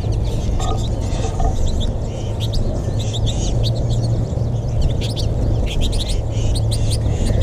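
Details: Many American goldfinches crowd feeders in northwest Gainesville, Florida, on March 20, 2021, during the Final Flourish before departure; a busy stream of high, sweet chirps and twitters, backed by a loud, steady low hum.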